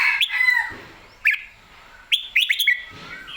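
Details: Energetic Red-whiskered bulbul, ready to compete, giving a sliding whistled note, then after a pause a rapid cluster of bright warbled chirps, with sharp clicks scattered through.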